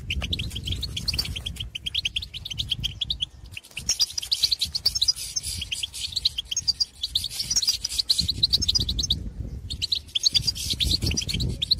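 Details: Wild European goldfinches in open countryside chatter in quick, tinkling, high twittering runs and calls with liquid notes, pausing briefly between bursts, over a steady low rumble; audio used to stimulate caged goldfinches to sing.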